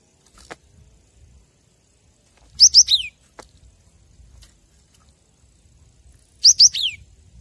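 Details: Cinereous tit song phrases meant as a training master for captive birds: two brief high phrases of two sharp notes and a falling whistle, about four seconds apart, over faint low noise.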